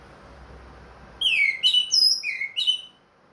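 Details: Caged orange-headed thrush with a leg ring, singing again after its moult: a short phrase of clear, downslurred whistles and higher sliding notes, delivered quickly then stopping.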